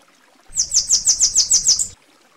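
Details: Bananaquit (sibite, Coereba flaveola) from Brazil: a quick run of seven very high, thin, buzzy notes lasting about one and a half seconds, over faint low background rumble.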